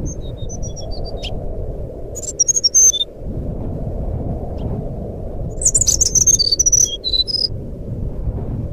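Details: High fluting phrases of a sikatan rimba flycatcher, used as a lure for a caged bird that has stopped singing: soft descending whistles, a short sharp burst, then a longer rapid volley of piercing notes, over low steady noise.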